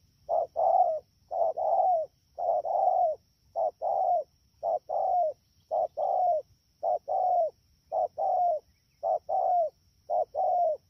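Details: Fast-calling wild-caught spotted dove, rainy-season bird, recorded at Dak To, Vietnam, on 3 October 2019. It gives an even, rapid series of paired coos, each a brief note then a drawn-out, slightly falling one.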